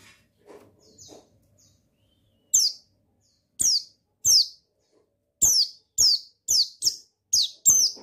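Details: Male buxtoni white-eye (pleci), a sound meant to stir a caged bird into song: faint soft chatter at first, then about ten piercing high notes, each sliding downward, coming faster and closer together toward the end.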